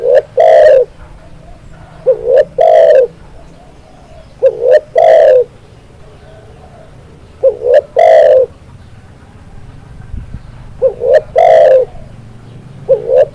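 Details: Song of a spotted dove used as training audio to get kept doves singing. Repeated hollow coos, each opening with a brief stuttering note and ending in a sustained, resonant tone, come at uneven intervals across the stretch with faint low hum beneath.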